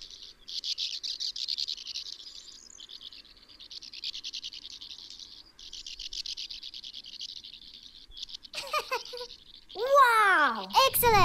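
Sand Martin giving dry, rasping, buzzy twitters in quick bursts for about eight seconds, followed by a brief noise and a spoken voice.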